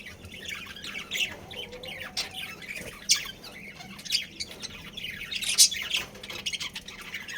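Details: Budgerigar breeding pair kept as pets, uttering irregular high chirps and squawky notes about twice a minute's worth of bursts, over a steady low room hum.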